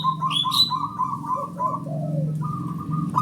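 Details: Male zebra dove (perkutut) calling as a lure: a rolling string of soft repeated coos followed by longer drawn notes, with a few high chirps from other birds and a low hum underneath.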